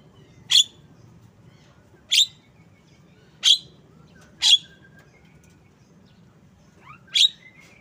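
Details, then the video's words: A Javan myna repeats sharp, harsh chip notes five times at irregular one-to-two-second intervals, the last preceded by a brief rising whistle, over quiet low hum. "Bird Song Jalak kebo"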